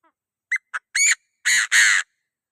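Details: Chinese francolin calling to provoke other birds, used for trapping: a loud, harsh series of five notes, two short clipped ones, then three longer rasping blasts growing louder, with a quiet background.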